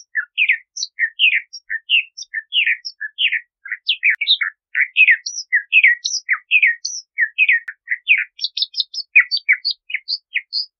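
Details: Bahama mockingbird in sustained, brisk song of many short whistled and slurred notes, varied in pitch, with motifs repeated in pairs and a run of high thin notes toward the end.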